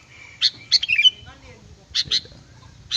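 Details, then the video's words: Sooty-headed bulbul song used as a lure for catching birds: bright, chirpy notes in short clustered bursts, a quick run of several notes near the start, then paired chirps and a final single note, over faint low background rumble. "Suara burung kutilang pikat gacor"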